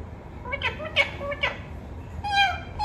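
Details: Talking parrot kept as a pet, uttering a quick series of three rasping, syllable-like bursts followed by a longer, level nasal call, with constant low background hum.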